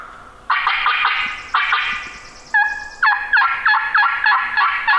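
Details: Male wild turkey on Minnesota public hill country, gobbling down the hill after the morning hunt; harsh rolling gobbles repeated in bursts about every second, a few clear yelps between, no other clear sounds.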